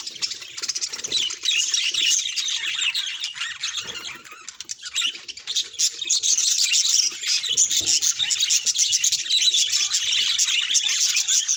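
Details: Budgerigar voice, taken as a sign of its emotions: long run of rapid, irregular chirps and scratchy warbles, quieter around the middle, then louder, denser chattering to the end.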